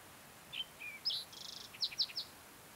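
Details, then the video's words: Singing Green-tailed towhee, June morning, Mesa Verde Plateau in Colorado: short sharp chips and slurred whistles, a fine buzzy trill of rapid pulses, then three emphatic downslurred notes, all high-pitched over light hiss. "Singing Green-tailed Towhee"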